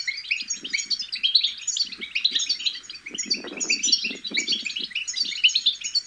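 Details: Babbling of young European goldfinches, played to encourage goldfinches to sing: rapid, overlapping high chirps and liquid twitters run throughout, with a cluster of low, muffled rustles near the middle.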